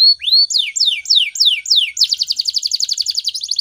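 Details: Morning canary song meant to train other birds: a rising upslurred whistle, several high notes falling steeply, then a quick pulsing trill of short repeated notes to the end.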